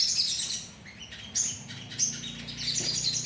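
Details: Sogon colony calling as a lure: shrill chirps and twitters from many birds, rising and falling in short bursts, with quick sharp notes breaking through over a faint low hum.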